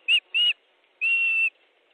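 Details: Osprey at a nest in Estonia, 14 July 2014 at 12:50, during a fish delivery: three clear, high whistled notes, two short ones followed by a longer level one, on a quiet background.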